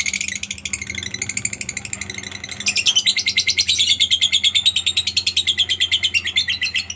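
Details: Lovebird calling to stimulate other lovebirds to sing: rapid, dense high chirps repeated about three times a second, growing louder and fuller halfway through into a steady rattling trill.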